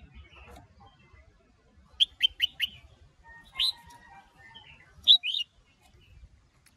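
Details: Red-whiskered bulbuls, a female rousing a male into fired-up singing in the 'sổ bọng' and 'ché' styles. A quick run of four clear whistled notes, then a pair of slurred upward whistles and a final double note, with soft background rustle.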